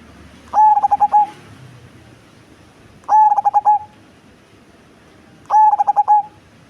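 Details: Cemani zebra dove, a big-bodied bird with a deep, bassy voice, giving three evenly spaced song phrases about every two and a half seconds, each a quick stutter of coos ending in a drawn-out tone.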